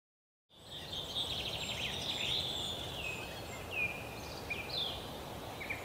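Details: Three-toed woodpecker chicks in a nest hole in a forest park in Yekaterinburg, Russia, 10 June 2018, filmed with a Canon PowerShot SX60 HS; a steady high chattering buzz of begging with short sharp notes over it and a noisy background.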